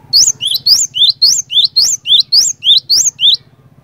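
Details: Lively cinereous tit singing to prompt others of its kind to join in, giving a fast string of about eleven sharp, high double-noted whistles, each phrase swooping up, with a faint low hum underneath.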